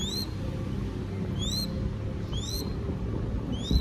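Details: Baby crested goshawk being fed in Cambodia gives high, thin, upslurred whistles with a bright ringing edge, four calls spaced roughly every second over a steady low rumbling background.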